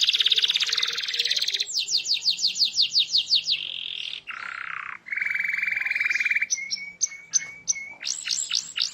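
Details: Canary in vigorous gacor song, played to get other canaries singing: a buzzy trill, repeated downslurred notes, harsh bursts, a steady lower trill, then sharp high notes and sweeps.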